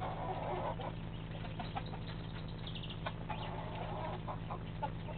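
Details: Chickens in their early morning rush for breakfast, a flock clucking and murmuring in overlapping soft bursts, with a few sharper higher notes, all over a steady low mechanical hum.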